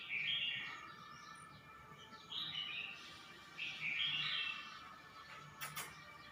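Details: Caged red-whiskered bulbul in Suan Phueng, Ratchaburi province, Thailand, 29 May 2020, recently rehomed and starting to sing: three separate short warbled phrases spaced about two seconds apart, with a faint steady hum and a brief click near the end.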